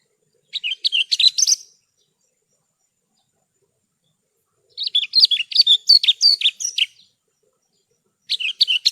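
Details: Horsfield's bush lark tutor song: long, varied phrases of rapid jumbled chirps and warbles lasting one to two seconds, separated by several seconds of silence.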